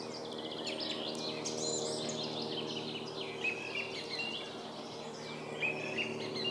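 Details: Rapid, varied song thrush phrases, sharp notes and rising whistles repeated in quick succession almost without pause, over a continuous low hum.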